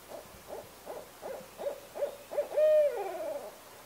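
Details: Low hooting of a barred owl, with evenly spaced short hoots leading into one strong sustained note that falls away in a wavering downward slur, against steady background hiss.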